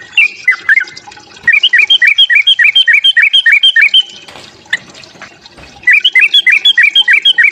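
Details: Sooty-headed bulbul fighting song used to provoke rival birds, fast runs of quick looping whistled notes about three per second, broken by a pause with faint background rustling before the run resumes.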